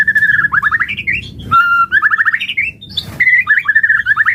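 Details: White-rumped shama song used as a lure to make other shamas respond and sing: loud, rapid runs of rising whistled notes in bursts about a second long, with sharp chattering breaks between phrases.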